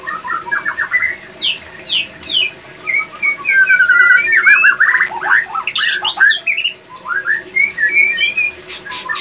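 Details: Captive male white-rumped shama (murai batu) in breeding condition, which sings more and responds to other shamas' voices: a varied stream of sharp whistled notes, upslurs and rapid trills in quick bursts, continuous and lively.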